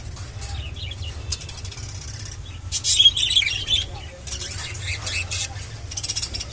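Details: Lutino budgerigar sounds and mating call: bursts of high, scratchy chirps and warbles that come and go, loudest in the middle, over a steady low hum.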